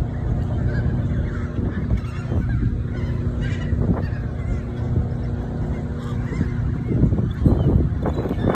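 Emperor geese give short, hoarse honks in scattered bursts over a steady low rumble, with the loudest calls near the end.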